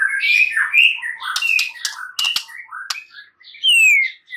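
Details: White-rumped shama song for prompting a silent shama to sing: rapid mixed warbles and sharp clicks, closing with a loud clean descending whistle.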